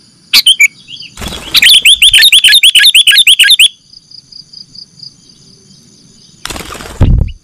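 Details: Recording of sooty-headed bulbul used to lure birds for capture: an isolated note, then a burst of rapid, liquid chirps lasting about two seconds, followed by near silence and a closing knock.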